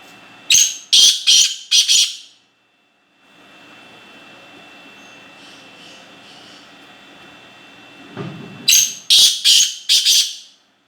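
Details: Black francolin (kala teetar) repeating its call twice, each a rasping phrase of four to five strident notes about two seconds long, separated by a long quiet gap with a brief low thump before the second phrase.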